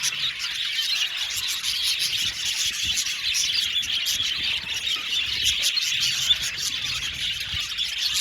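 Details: A colony of budgerigars in an aviary chatters in a dense, steady flock, a continuous wash of high, scratchy chirps and warbles with no pause.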